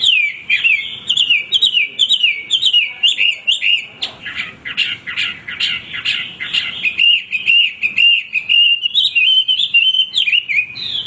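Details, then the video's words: Male hwamei singing without pause, with bouncing whistled phrases repeated about twice a second, a harsher burst of notes in the middle, and then a long rolling trill. "wambi gacor berkicau tanpa henti"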